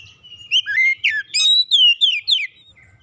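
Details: Song of an Oriental magpie-robin, played as recovery therapy for a stressed bird. It is a rapid run of bright whistles, including slurred downward notes and sweeping upward ones, in seven loud bursts over a quiet background.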